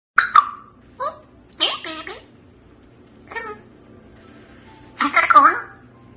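An African grey parrot mimics speech in short bursts of word-like syllables with a few sharp clicks and pops, separated by pauses, in a quiet room.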